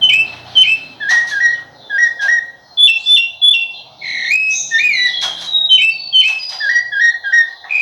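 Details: Rufous-bellied thrush delivering a flowing whistled song of short slurred notes, some rising and some falling, with a few quick repeated double notes and brief sharp clicks between phrases.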